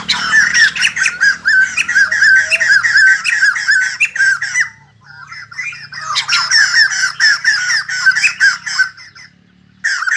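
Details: White-crested laughingthrush, kept bird, singing with dancing movements: dense, noisy chattering of rapid repeated notes, a pause with softer calls, then another harsh cackling burst ending abruptly before a final short note.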